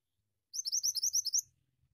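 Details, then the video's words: Gacor ngeroll singing by a mantenan, the Pied Triller: one quick string of about eight piercing, rising whistled notes, evenly spaced over a second. "Suara Burung Mantenan Gacor Ngeroll"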